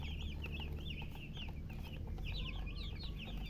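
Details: Several thirsty baby chickens, colour chicks wanting water, produce dense overlapping high peeps and trills, loud and continuous, over a strong low rumbling hum.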